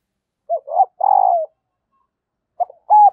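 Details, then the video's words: Female spotted dove calling to stir lazy males into cooing: a short note, a clear hooted note, then a long buzzy coo sliding downward, and a second phrase beginning. "tieng cu mai kich trong"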